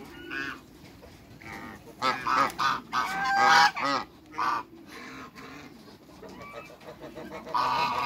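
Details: African geese, a pair in a backyard with other waterbirds; loud brassy honks come in bursts over a murmuring background of quieter farmyard calls.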